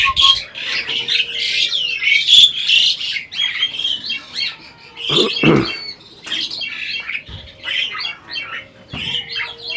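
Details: Captive adult Asian pied starling apparently conversing through mimicry of speech: harsh high squawks and chattering phrases in uneven bursts, with a few short whistles and a loud rough note midway.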